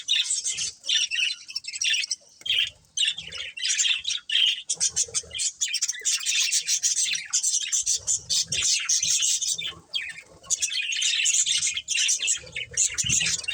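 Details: Budgerigars, a breeding pair, giving a dense stream of high, scratchy chirps and warbling chatter, nearly continuous with short breaks.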